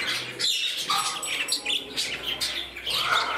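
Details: Several pet budgerigars kept indoors, giving squawky chirps and short warbled notes in quick succession, with a person talking quietly in the room.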